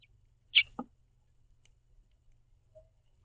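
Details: A house finch, one of a pair hopping about a backyard platform feeder and chirping to each other, gives one bright, high chirp, followed by a sharp click and then quiet.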